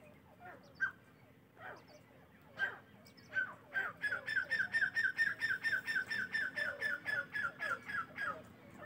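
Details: Morning partridge calls: spaced single notes build into a steady run of sharp, clipped notes, slightly more than two per second, held to the end against a faint background.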